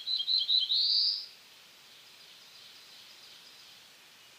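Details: Song of a black-throated blue warbler: several quick, slightly buzzy notes leading into a longer, rising, buzzy phrase lasting about a second, followed by quiet ambient hiss.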